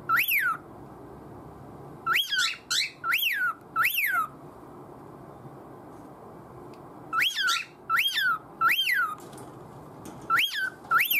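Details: Pet cockatiel using odd noises to get its owner to pay attention; bursts of three or four piercing arched whistles interrupted by long quiet stretches, about ten calls in all.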